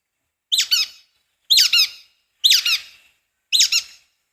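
Brown-headed Nuthatch giving four high, squeaky double-noted calls, each like a squeezed rubber duck, spaced about a second apart; nothing else is heard.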